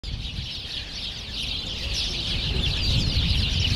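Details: A flock of sparrows bathing in sunlit puddles in Druzhby Park, Moscow, on 3 March 2014 in early spring, chirps continuously, a dense mix of short, high cheeps over a steady low rumble of wind or distant traffic.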